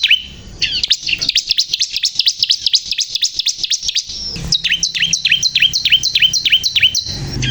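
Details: Energetic song of a crystal-type bar-winged prinia, a long, rapid trill of high, sharply modulated notes followed by slower, separate downslurred chirps, with a faint low hum.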